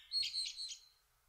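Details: In June 2024, with a male common kestrel preparing food for his family, a kestrel gives a quick burst of three shrill, high, slightly harsh notes in under a second, with no other sounds around it.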